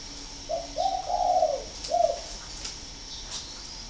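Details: Northern Vietnamese spotted dove bred for its cooing, recorded at a farm near Hanoi; one phrase of low rounded coos, a short note, a long swelling coo, then a brief final note, with background hiss and a thin high tone.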